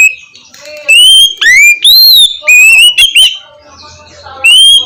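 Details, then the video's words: Oriental magpie-robin in loud, open ngeplong song style, used as a lure to prompt reluctant magpie-robins to sing: clear, loud whistled notes, some rising or falling, mixed with brief harsh chattering notes and short pauses. "suara kacer ngeplong cocok buat pancingan kacer susah bunyi"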